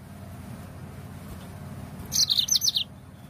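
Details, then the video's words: Yellow-fronted canary song played as a lure to stimulate other birds to sing: one short burst of quick high chirps and slurred notes, over a steady low background hum. "Suara pancingan Burung Mozambik"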